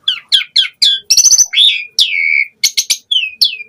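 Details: Asian pied starling singing in continuous 'gacor full isian' style: quick rising chirps, a burst of rasping chatter, then long slurred whistles dropping in pitch and a few sharp upward notes, with no other sounds.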